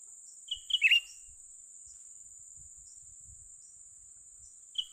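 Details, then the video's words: A young cucak ranting bulbul, lured for trapping, utters one full phrase of sharp whistles and a buzzy chatter, then starts another at the end; faint low thumps and a continuous insect drone. "memikat burung cucak ranting muda mantap"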